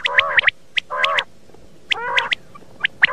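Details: Common quail sounds used as a morning hunting lure: drawn-out nasal notes with stacked harmonics alternate with clusters of brief, sharp, higher-pitched notes, clear against a quiet background.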